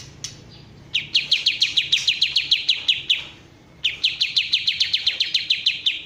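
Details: Bulbul called kapas tembak, original sound: one isolated note, then a rapid series of about fourteen sharp descending chips. After a short gap, a second equally fast run of about fifteen follows.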